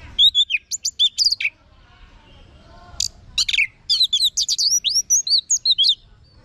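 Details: Orange-headed thrush (anis merah) singing loud, varied phrases: high whistled notes with rapid chirpy and buzzy bursts, arranged in two busy runs split by a brief near-silent gap, with a faint low hum beneath.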